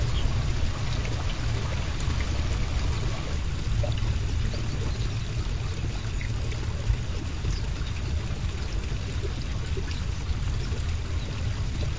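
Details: Steady rushing, pouring water noise with low rumble fills the recording, no animal calls heard.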